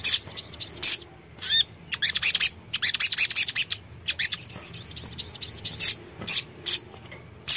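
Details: Sogon song played as a sound to prompt a caged bird to answer: very high, sharp chirps and quick trilled bursts in clusters of several notes, with short pauses and a faint low hum underneath.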